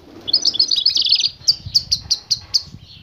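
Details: European goldfinch female tweeting to attract a male into mating. A quick cluster of high, tinkling chirps, then single sharp high notes spaced evenly, roughly four per second. Faint low rumbling sits underneath.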